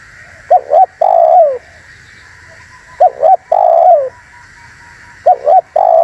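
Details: Spotted dove cooing to attract wild doves and make other doves react. The phrase repeats about every two seconds: two brief coos and a longer downward-sliding coo, with a continuous high hiss in the background.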